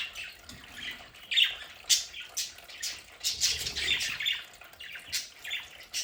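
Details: Several pet budgerigars chattering in their home play area: quick, irregular raspy squawks and chirps, about two per second, overlapping into continuous scratchy chatter.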